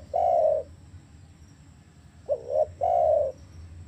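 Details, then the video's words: Spotted dove sound for getting captive doves calling: a long level coo, a pause, then a full phrase of wavering double note and held coo, with low hum throughout. "ATASI MACET BUNYI DERKUKU/TEKUKUR IDAMAN ANDA"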